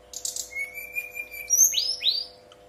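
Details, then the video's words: Brown-chested jungle flycatcher song, kept bird, played to draw other birds into singing; a short high chirp opens, a long level whistle follows, then two loud sweeping rising-falling notes. "Pancingan SRDC bahan biar nyaut dan bunyi, SRDC nyuling gacor"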